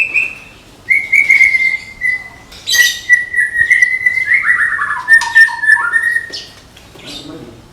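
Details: Contest-ready caged Medan white-rumped shama in a tembakan sequence: long sustained whistles, then a cascading stutter of descending notes and varied slurred phrases, with brief scratchy bursts between.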